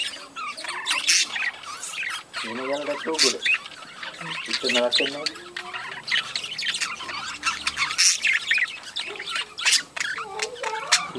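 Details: Constant warbled chatter and squawks from a budgerigar breeding colony, broken by a few lower, voice-like harmonic phrases and sharp clicks.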